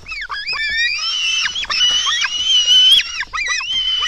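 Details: Lesser spotted eagle nestlings at the nest during a feeding at 04:53 on 24 June 2016 beg with high, wheezy whines that rise and fall, overlapping almost without pause; short squeaks break in between.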